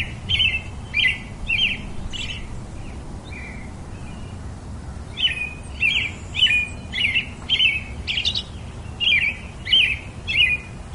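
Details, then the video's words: Robin delivering two bursts of quick repeated chirps with falling tails separated by a short pause, the later run faster and denser, with low background rumble. "Very versatile melody of the pretty Robin bird"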